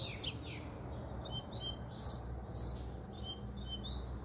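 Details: Double-collared seedeater male, described as fiery, singing puxada style: short high chirps and whistled notes in separate bursts spread through the clip, fairly soft against a steady low-pitched hum.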